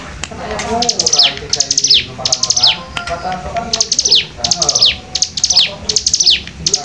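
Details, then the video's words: Hill prinia song in the 'nembak rapat' style, with rapid rows of piercing, high, falling chirps repeated densely in bursts, accompanied by faint lower tonal sounds and murmuring in the background. "cigun nembak rapat"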